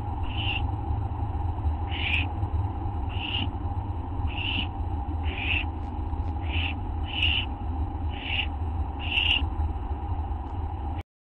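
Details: Night camera recording of owls, late evening of August 24 2011: a series of nine brief scratchy hiss-like calls at uneven intervals of about one second, steady low hum throughout.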